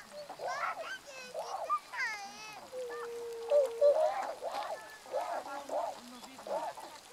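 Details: Tundra swans, adults and a juvenile, filmed on 1 January 2014: a run of loud, nasal, harmonic honks and bugling notes, some slurred up and down, with one long steady lower tone in the middle, calls overlapping from several birds.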